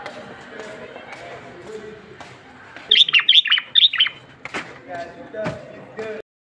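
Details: Moroccan black common bulbul singing, a strong song used to stimulate other bulbuls to sing: a quick phrase of four or five bright, bubbly whistled notes in the middle, with scattered soft chirps and low background noise before and after.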